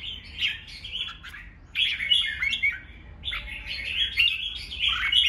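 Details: Red-whiskered bulbul giving a fighting song meant to provoke rival bulbuls into singing back. Bright, fast, warbled whistled phrases, chirpy and slurred, delivered in two bursts separated by a short pause, with a faint low hum beneath.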